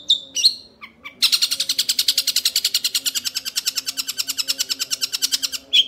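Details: Young Long-tailed Shrike with a couple of sharp whistles, then a long ngekek chatter: a steady stream of quick, harsh, buzzy pulses lasting over four seconds.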